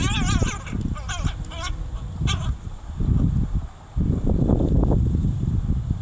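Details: Crow calls from a mother teaching her baby to forage, 26 July 2019: a few short, wavering, nasal harmonic calls in the first two seconds, followed by steady low rumble and background noise.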